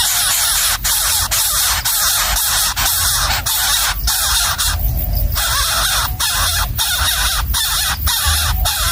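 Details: Hungry wild nestling in its nest being fed a gecko by its parent, giving harsh, raspy, broadband begging calls in a dense, nearly continuous stream with brief gaps, over a steady low rumbling background.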